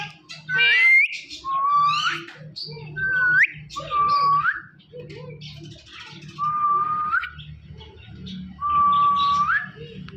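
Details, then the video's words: Talking parrot kept as a pet produces rising whistled phrases that end in an upward flick, repeated roughly every two seconds, with brief harsh notes between them and a low hum in the background. "Talking Parrot Natural Sounds Compilation"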